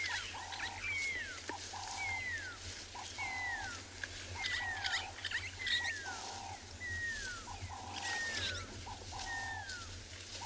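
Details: Pearl-spotted Owlet calling at sunset on a safari drive on 23 June 2020, near elephants; it often calls at this time of day. A steady series of loud, downslurred whistles, about one a second, over hollow tones and a low engine hum.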